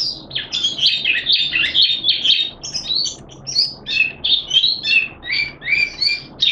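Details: Malaysian Oriental white-eye (mata puteh), a kept hobby songbird on song display, recorded 25 February 2023, singing happily: a rapid, continuous run of high, thin twittering and chirping notes, varied and jumbled, with brief pauses between bursts.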